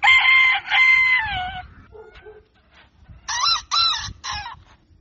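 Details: Rooster crowing at dawn: two long, loud, harmonic crows with a held, slightly falling tail, then three short, rough, stacked bursts after a quiet gap, over low background rumble.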